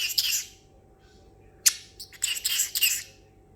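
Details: Pet parrotlet, excited after treats and almonds, imitating water sounds: hissing, splashy bursts in several clusters with one sharp click between them and a quiet indoor background.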